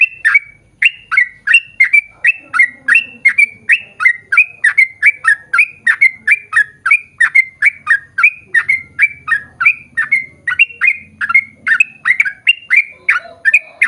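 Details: Long ropel-style yellow-vented bulbul song, used as a lure to set others singing: a steady run of about thirty bubbly, gurgling notes, roughly two a second, each with a quick upward twist, nearly without pause.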